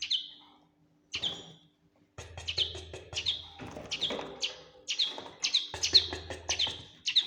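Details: Fledgling common linnet giving short bright chirps, each a quick downward-sweeping note, repeated in loose bursts after two brief pauses, with a faint low hum underneath.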